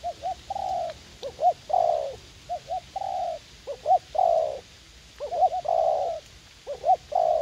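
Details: Spotted dove cooing during decoy trapping in a garden at U Minh, a young wild bird keen to fight; repeated phrases of two or three short hooted notes running into a longer, falling coo, with quiet background.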